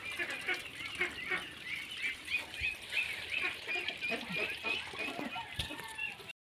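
A crowded flock of ducks chatters continuously, with many overlapping nasal, squeaky calls rising and falling several times a second, and faint human voices underneath.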